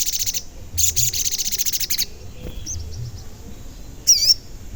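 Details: Sogon song used as a lure so other sogon answer and turn aggressive: two long bursts of rapid, very high chattering trills, a few soft high notes, then one wavering whistled note near the end.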